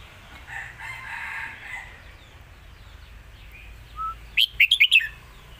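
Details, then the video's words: Caged red-whiskered bulbul in the Lak Wai master song style: a harsh background sound first, then near the end a single rapid phrase of five bright whistled notes. "นกเสียงทอง!!เพลงลากหวาย สุดยอดเพลงแม่บท#นกกรงหัวจุก"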